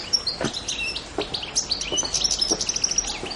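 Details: European goldfinch on the island of Pantelleria, Italy, recorded 2 January 2011, gives high thin twittering phrases with short clear whistles, while soft clicks and taps sound about every half second.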